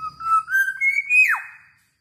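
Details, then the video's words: Fluty song of a caged Black-naped oriole (kilyawan) from the Philippines: smooth whistled notes stepping upward, then a fast falling slide, all within about one and a half seconds. "BLACK NAPED ORIOLE (KILYAWAN) PHILIPPINES 🇵🇭 BEAUTIFUL SOUND(BIRD)"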